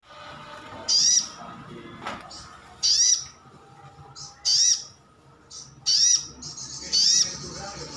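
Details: Brown-throated sunbird, a captive bird of the 'ngalas' type, calling to prompt other birds to answer: five sharp, high, slightly rising chirps spaced one to two seconds apart, with faint low background hum.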